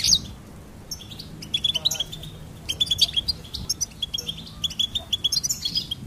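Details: Goldfinch singing: sharp high chirps and short trills, with runs of clipped notes repeated at an even pitch in the second half, over a soft low background hum.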